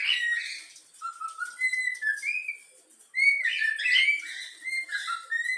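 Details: Yellow-cheek cockatiel chick kept as a pet, whistling the Flamengo anthem; bright clear whistles at a middle pitch, some held, others gliding upward, forming a tune with a pause halfway through.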